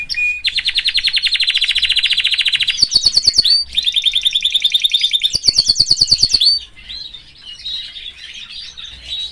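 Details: Canary singing in a cage beside his family: fast trill tours that jump twice into higher, sharply pulsed rolls, then trail off into soft twitters.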